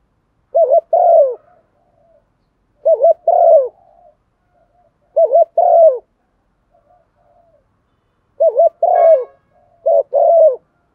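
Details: Spotted dove calling as a decoy to lure wild birds and gather the flock; five low husky coo phrases, each a quick double note and a falling coo, with faint soft notes between and a brief chirp.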